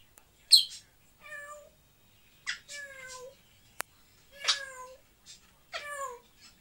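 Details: Pet African grey parrots in Moscow, Russia, give a series of about five nasal, meow-like calls, each starting with a noisy burst and sliding down in a harmonic whine, separated by short pauses, with one sharp click midway.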